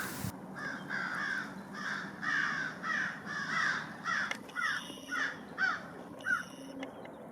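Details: American Crows harassing a bald eagle along the Thames River in London, Ontario, in fall, giving harsh, hoarse caws in a steady run of about ten, roughly one every two-thirds of a second, over a low background rumble.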